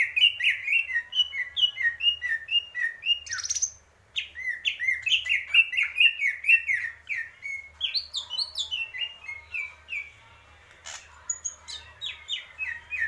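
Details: Greater green leafbird singing continuously, rapid whistled notes about twice a second, sliding and warbling, with a brief pause at four seconds before the song resumes more softly.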